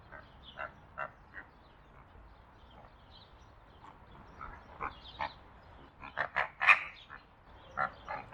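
Greater flamingos give nasal, goose-like honks in an uneven stream, several birds overlapping, with louder bursts of honking toward the end.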